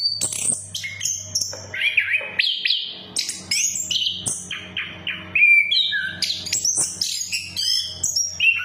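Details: Orange-headed thrush song for coaxing birds that have stopped singing: varied whistled phrases, upslurs and downslurs interspersed with sharp chirps and one sweet descending whistle, over a low constant hum.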